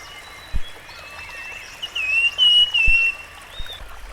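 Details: Rusty-fronted barwing, wild, delivering a bright whistled phrase of two or three sustained, slightly wavering notes in the middle, set against constant running-water hiss and occasional dull knocks.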